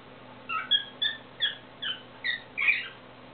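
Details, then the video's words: Pet cockatiel singing indoors: a series of clear whistled notes, about two per second. Some notes rise and others fall, ending in a fuller, brighter note. "Поет птичка корелла"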